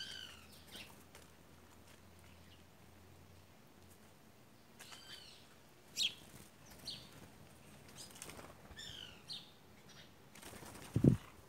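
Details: A group of white woodpeckers gives scattered short, chirpy notes that arc up and down, spaced irregularly over low background rumble, with wing flutters and a sharp thump near the end.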